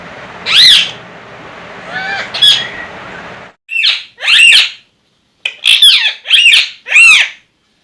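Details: A pair of pet talking parrots: loud, harsh screeching squawks, first two drawn-out calls over background hiss, then five short, sharp bursts in quick succession.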